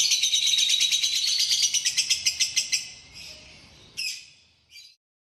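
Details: Lovebird song, clear and with pauses: a fast run of high, sharp chirps at about two per second that slows and breaks off, followed by two short separate chirps and then silence.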